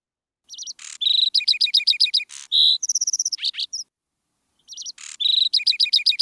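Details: Eurasian skylark song heard in spring: a fast, high, tinkling run of chirps and short trills, varied and unbroken apart from one brief pause. No other sounds.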